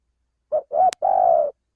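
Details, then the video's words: Male spotted dove calling as a lure to attract wild birds for trapping: one phrase of three low coos, short, short, then a long steady note. A sharp click breaks in before the last note. "suara pencingan burung tekukur"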